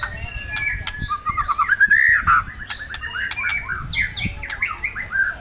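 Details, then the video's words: White-rumped shama stirred up by provocation, pouring out a continuous varied warble of quick slurred notes and short whistles, loud and busy, with occasional clicks and a faint low rumble. "Memancing emosi muray batu"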